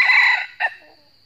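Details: Wild red junglefowl in northern Vietnam crowing fiercely in challenge at a trapped decoy bird: a loud, rich, harmonic crow note of about half a second, then a short, sharp second syllable fading away over a faint steady insect hum.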